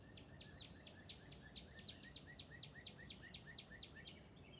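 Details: A northern cardinal perched in a tree above a feeder in Northern Virginia woods one morning, calling back and forth with another, gives a quick run of clear downslurred whistles, about three a second, over a steady low rumble.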